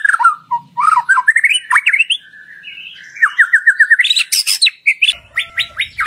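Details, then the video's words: White-rumped shama lure song meant to prompt other shamas into full, loud singing: quick varied whistles, rising slurred notes, a run of evenly repeated chips, then high sharp twitters. "Pancingan Murai Batu Agar Bunyi Ngeplong"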